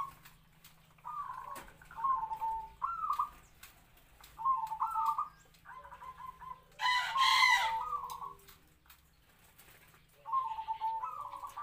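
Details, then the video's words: Decoy zebra dove, locally bred and about three to four years old, singing its medium kwor kwor song; short rising coos come in spaced bursts, with a loud broad harsh call near the middle. "perkutut pikat suara sedang kwor2"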